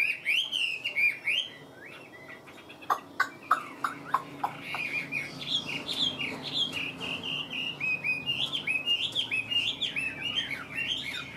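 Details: Caged Chinese hwamei in full song: rich, varied whistled phrases with looping, bouncing notes, broken in the middle by a series of sharp clicking taps before the melodious warbling resumes, fast and energetic.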